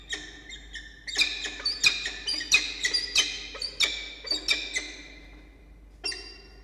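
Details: Peregrine falcon at a breeding nest box atop a water tower at Charles Sturt University, Orange, NSW, Australia, 13 October 2021, 10:14. It gives a quick run of high, harsh chittering calls with sharp ticking clicks, then a final squeal.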